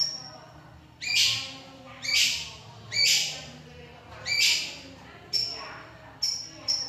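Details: Long-tailed shrike, known for imitating other birds, uttering loud harsh rasping notes about once a second, followed by a few thin high whistled pips.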